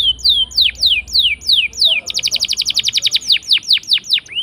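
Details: Canary lure song: loud falling whistled notes, a burst of rapid rolling trill, then more swooping whistles, intended to prompt quiet canaries to answer.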